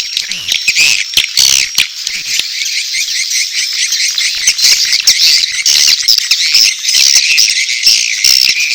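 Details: Swiftlets making mating calls mixed with chick calls: a long, unbroken wash of high, scratchy chirps, with a few thin whistled notes standing out toward the end.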